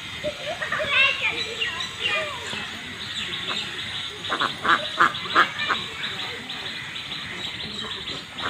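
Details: Ducks kept on a farm pond quack repeatedly, starting with a few drawn-out calls and then a burst of rapid, rough quacks in the middle, while human voices chatter nearby.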